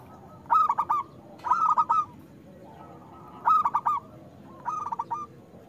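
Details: Zebra dove of a local strain singing strongly as a lure for doves that rarely sing; four short phrases of rapid, clipped coos, each a quick stuttering burst, about a second apart.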